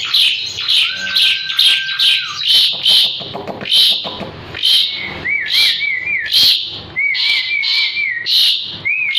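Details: Asian pied starling in energetic song (gacor) recorded as a master for training birds: rapid harsh bursts alternating with level and wavering whistled phrases, repeated over several seconds.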